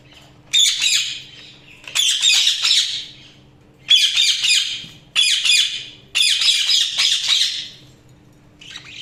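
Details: Several rushes of budgerigar chatter, roughly one every second or two, each a fast, gritty warble of clicks and squeaks that swells then trails off, with a steady low hum in the room.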